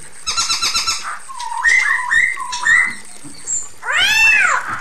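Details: Female Chinese hwamei calling the male: a rapid pulsed trill, then stepped whistled notes climbing and falling, and a final loud harsh arched cry.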